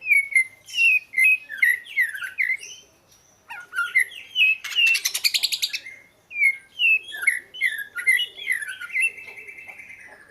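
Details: Oriental magpie-robin singing sweet slurred whistles in quick succession, a harsh rasping buzz in the middle, then more rising and falling whistled notes closing with a sustained thin trill.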